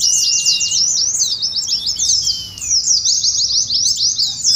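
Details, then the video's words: Oriental white-eyes (pleci) in ngeriwik style, used to train and stir captive birds, contest simulation: dense, rapid, high twittering of overlapping chirps without pause, with a few thin level whistles drawn out beneath. "TERAPI PLECI NGERIWIK , PANCINGAN PLECI NGALAS"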